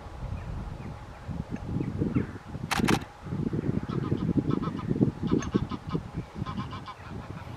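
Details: A flock of Greater white-fronted geese (Anser albifrons) at Wimpole Hall, Cambridgeshire, on 17 December 2020, calling in repeated high, yelping double and triple notes over a low rumble of wind or distant traffic.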